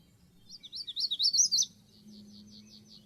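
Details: Magnolia warbler delivering a short, bright phrase of rapid slurred whistles, growing louder and ending on a rising note, then softer repeated high chips in the background over a steady low drone.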